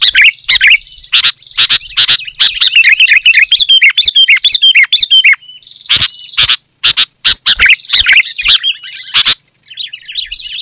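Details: Sooty-headed bulbul singing vigorously, a loud, dense original recording used to lure wild bulbuls in forest and to tutor caged birds; bubbly warbled phrases at mid-high pitch, several overlapping, broken by sharp loud clicking bursts.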